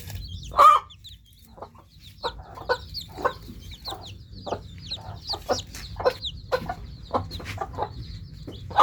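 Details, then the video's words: Newly hatched chicks chirping: sparse high, thin peeps sliding downward, scattered irregularly among low, short clucking notes and soft background rumble. "Just New Hatched Chicks Chirping Sound"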